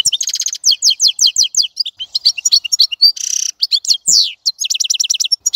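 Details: Continuous European goldfinch song, a fast jumble of bright twittering chirps, liquid trills and nasal buzzy notes, delivered without pause at high pitch.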